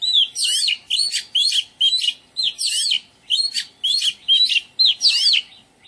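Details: Garden-singing Oriental magpie-robin delivering a steady, varied sequence of about thirteen short notes, mixing bright whistles with scratchy, chattering elements, roughly two notes per second.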